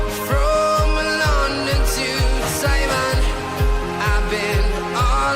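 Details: Upbeat pop music with a thumping beat and singing; no animal calls are heard.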